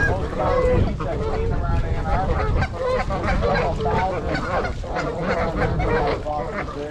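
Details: A winter flock of 42 trumpeter swans (26 adults, 16 juveniles) at Gallup Park in Ann Arbor, Michigan, January 8, filmed with a GoPro. Dense chorus of loud, resonant trumpeting honks, many birds calling at once, continuous throughout.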